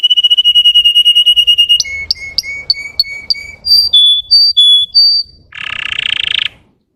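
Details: Russian canary singing to rouse other canaries: a rapid high trill, then a series of clear whistled notes alternating between two pitches, ending in a harsh buzzy burst.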